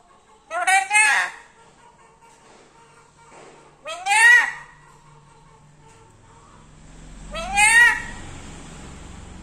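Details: Captive black-capped lory talking sweetly: three rich, rising, slightly rasping vocal bursts roughly every three to four seconds, with faint low rumbling background noise toward the end.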